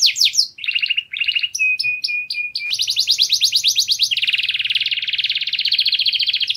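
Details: White canary song given for mating stimulation: quick falling notes, a low rolling trill, short piping whistles, then a long, fast, high trill that drops into a dense lower roll.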